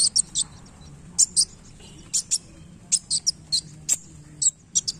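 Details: Singing wulung sunbird displaying its tail: scattered very high, thin chips, some paired, spread evenly over several seconds with a faint low hum behind.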